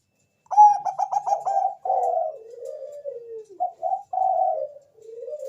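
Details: Zebra dove of the Bangkok type singing a lure song meant to prompt other doves to answer. A quick stuttering burst of five ringing notes opens, then several soft, mellow coos slide gently downward in pitch.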